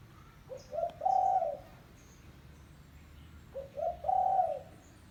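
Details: Spotted dove call used to lure doves: two coo phrases about three seconds apart, each two short low notes rising into a longer drawn-out hooting coo, over a quiet background.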